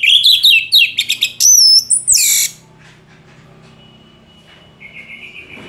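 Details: Orange-headed thrush pouring out a rapid, varied song of warbles, trills and a long high whistle for two seconds, followed by quiet with a faint distant whistled tone.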